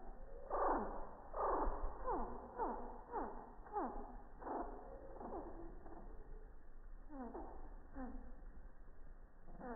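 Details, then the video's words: Slowed-down hummingbird song captured with an iPhone 6+ three feet from a feeder on a quiet morning of high activity: loud descending swept notes in an irregular series, fading into softer, sparser chirps, with no other background sounds. "Song of the Hummingbird"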